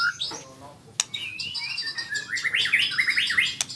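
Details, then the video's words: White-rumped shama learning to sing rolling trills (ngerol): scattered whistled notes, then a fast run of high, sweeping, chattering trill notes near the end, with a sharp click twice. "Murai Super Belajar Kicau"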